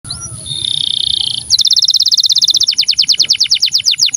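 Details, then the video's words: Canary song in the soft, melodious cengkok syahdu style: a sustained high buzzy note, then a fast, even trill of sharp repeated high notes that slows slightly toward the end, with a faint constant high whine behind. "Kenari cengkok syahdu"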